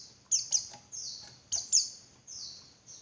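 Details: Female Javan white-eye calling, used to provoke males into singing: high thin descending notes near the top of the range, sharp chips followed by drawn-out falling slurs, in clustered bursts with short gaps.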